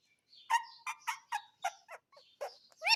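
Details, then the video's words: Pet parrot producing a quick string of short, nasal, voice-like syllables, about eight in three seconds, with a louder call at the end. "Talking Parrot"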